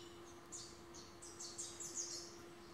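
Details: A rufous-capped warbler, singing a lot to its own reflection on a balcony in breeding season, gives a quick run of high, dry chipping notes that speeds up and clusters over about two seconds, over a steady low electrical hum.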